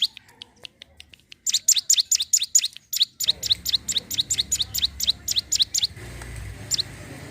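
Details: Sunda warbler (ciblek gunung) song for luring wild birds: faint ticks, then a rapid sequence of high, sharp chirps that stops abruptly, leaving background hum and one last chirp.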